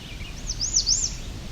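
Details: American Redstart singing one of its variable songs near Otter Lake, Cape Chin North, Ontario, on July 17, 2019, with a common yellowthroat nearby: a quick run of three high, thin, swooping notes over a low background rumble.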